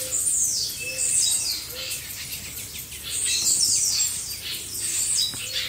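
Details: Group of blue-black grassquits, kept for training caged birds, singing together: dense overlapping high, buzzy, shimmering trills in two long bursts, with faint low whistled notes repeating beneath about once a second.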